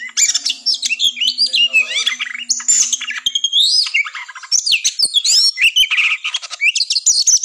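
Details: An Oriental magpie-robin in fighting mode pours out a fast, continuous song of high whistles, sweeping slurs and harsh chattering notes over a faint low hum; the recording is used to test and fire up other birds.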